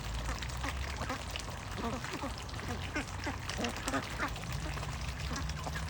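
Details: Ducks giving short, harsh quacking calls in quick irregular bursts, several overlapping, over a constant loud hiss of background noise.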